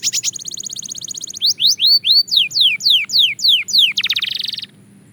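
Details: Song of a Belgian canary in singing practice: a rapid rattling trill, then a series of clear downward-sweeping whistles about four per second, ending in a dense buzzy roll.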